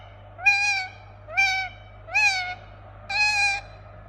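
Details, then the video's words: Four drawn-out, nasal, even-pitched squawks from a pet Indian ringneck parakeet, each about half a second long and spaced about one second apart, over a faint low hum. "Relaxing Parrot Making Sound"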